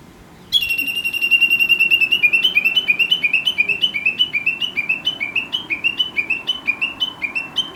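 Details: Chinese hwamei singing near a rural home, waking the household each morning with chatter like speech; after half a second of quiet, a loud burst starts, then rapid repeated two-pitched whistled notes continue steadily, over three per second.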